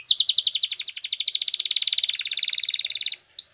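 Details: A Belgian canary sings a fast, high trill of rapid repeated notes for about three seconds, ending in a couple of rising chirps.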